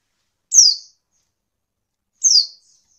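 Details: Female white-eye (pleci), a captive bird used to prompt lazy males into singing; two high, thin descending notes about 1.7 seconds apart, each a quick downward slur, on a silent background.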